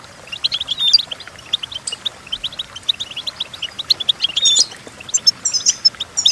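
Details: Goldfinch song for tutoring goldfinches: sharp high chirps and twitters in quick succession, with a few clear whistled notes.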